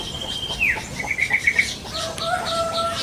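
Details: Wild yellow-vented bulbul in its natural habitat: a falling slurred note, then steady clear whistles, among rapid chirping trills from other birds and a constant high insect buzz.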